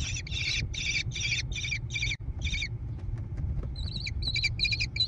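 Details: American kestrel nestlings in a barn-side gravel nest box near Prairie du Chien, Wisconsin, June 2022. A rapid series of broad, harsh rasping calls breaks off briefly, then sharper, thinner chattering notes follow, over a low steady hum.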